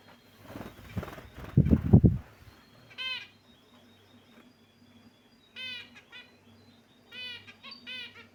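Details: Caged pet finches chirping: a burst of low rumbling noise at the start, then short stacked nasal chirps in quick clusters at irregular gaps of one to two seconds.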